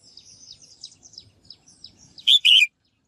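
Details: Soft, high, thin twittering, then one loud paired buzzy call from a female bird, given to stimulate males to sing actively.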